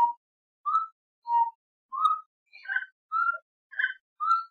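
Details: Saracura-três-potes, the gray-necked wood rail of Brazil: clear whistled notes, some rising, interspersed with harsher rasping calls, repeated roughly every half second.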